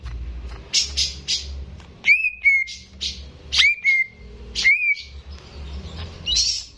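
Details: Greater green leafbird held in a cage and singing actively as a training model for raw birds: three bright whistled notes, each rising sharply then gliding down into a steady tone, between scratchy noisy bursts.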